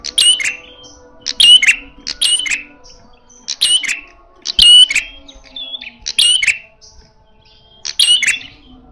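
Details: Loud red-headed prenjak prinia in fighting mode: repeated bursts of sharp high chirps with bright whistles, some closely paired, others spaced about a second apart.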